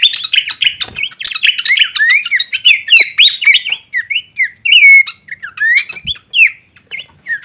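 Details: Masteran training song of Horsfield's babbler in full kleperan variation: dense chattering bursts of chirps and squawky notes at the start, loosening into separate slurred whistles that rise and dip.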